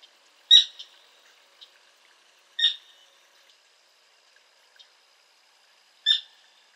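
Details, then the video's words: Sora calling: three sharp, loud, bright notes spaced about two to three seconds apart, each a brief burst with rich overtones, separated by near silence with a few faint clicks. "Sora (Porzana carolina) Call | Sora Bird Sound"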